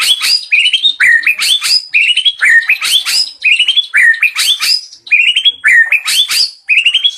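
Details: White-rumped shama delivering a rich mimicked repertoire: loud varied whistled phrases, sweeping and slurred, mostly high-pitched, coming in quick bursts with short pauses between them and no other sounds present.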